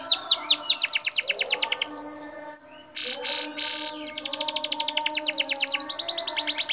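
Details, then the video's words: Lively song of an Atlantic canary, meant to prompt other birds to answer: long runs of rapid high chirps slurring downward, a short break, a harsh buzzy phrase, then another fast rolling trill, with a faint constant hum underneath. "AWAS KENARI GACOR!! KENARI NGETEM PASTI NYAUT"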